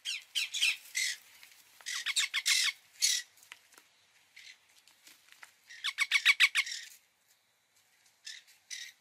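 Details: Series of shrill, rasping squawks from an Indian ringneck parakeet, dense runs of quick descending notes, a loud burst of about six screeches midway, then scattered fainter calls.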